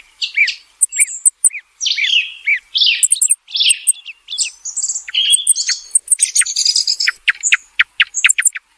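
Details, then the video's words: A thrush sings a rich, varied song of short, bright whistled and chattering phrases, some notes repeated, delivered almost without pause; nothing else is heard. "Thrush sound call(tordo) | صوت السمن | صوت السمنة لليل و النهار"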